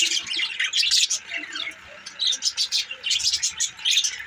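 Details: Budgerigar chatter: warbling, scratchy high notes, then a quick string of evenly spaced short chirps, roughly four to five per second, toward the end.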